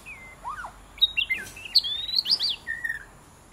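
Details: White-rumped shama kept as a pet, heard while playing with its owner: a quick medley of bright whistles and rising-and-falling slurred notes, ending in a level whistle and a short high note, against quiet background hiss.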